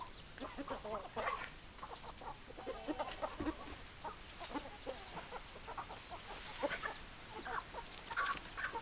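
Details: Hens cluck busily. Short clucks come in dense clusters with brief pauses, some notes slightly louder and higher, over a continuous low background hiss.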